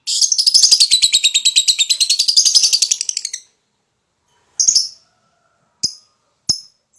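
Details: Lovebird stirred up to sing its long ngekek chatter; a rapid run of high buzzy chirps lasting over three seconds, then pauses and a few separate sharp chips.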